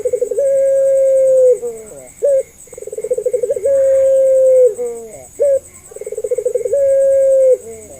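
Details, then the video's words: Puter pelung dove calling, played as a lure so that other doves learning to sing will answer: rapid throbbing pulses rise into a long, even, mellow note that drops away, then brief clipped notes, repeated three times. "PANCINGAN MASTERAN BURUNG PUTER"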